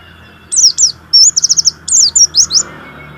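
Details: Warbling white-eye, a caged songbird used as a lure to stimulate sluggish white-eyes to sing, delivers short bursts of high, sharp chirps and a quick rattled series of notes, clean and loud over near silence.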